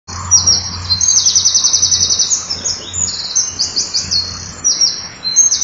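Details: Common kingfisher male at the nest at 07:10 on 29 June 2013, having taken over incubation from the female, bringing up a pellet and working it into the floor. High, thin, shrill chirps come in rapid runs over a low hum.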